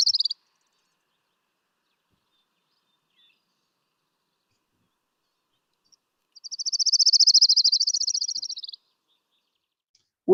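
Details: An Orange-crowned Warbler (Leiothlypis celata) in Washington, in spring, sings a bright, musical, high trill of rapid notes for about two seconds that rises and then falls off at the end, with brief clipped sounds.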